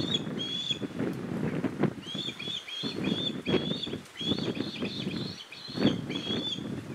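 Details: Newly fledged osprey begging its father for food, mother and sibling flying around them; two bursts of rapid, shrill whistled chirps separated by a pause, over constant gusty wind rumble.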